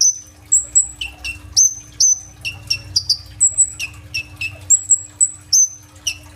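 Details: Kolibri ninja sunbird singing strongly in captivity, phone-recorded: rapid sequence of piercing high whistles, some sliding steeply downward, interspersed with brief scratchy notes, over a low steady hum.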